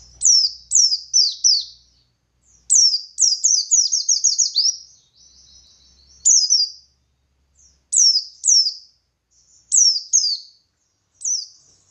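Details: Buxtoni white-eye singing in the lively ngalas style, played to provoke other white-eyes into answering; high, thin descending whistled notes in rapid clusters of two to six, with short pauses between bursts.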